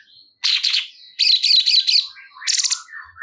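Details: Cungkok bulbul singing in short harsh, buzzy bursts of rapid repeated high notes, three bursts separated by brief pauses with faint thin calls between them.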